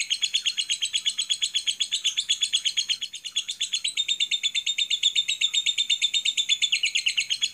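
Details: Unbroken lovebird ngekek trill from a masteran recording meant to trigger other lovebirds: fast, sharp, buzzy chatter pulses repeated many times a second, with a brief softer moment before continuing at full strength.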